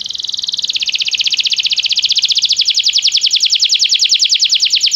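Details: Belgian canary singing during song training: a fast, even trill of rapid chirps that starts softer and builds in loudness, held steadily high-pitched for the whole stretch, about two to three notes per second.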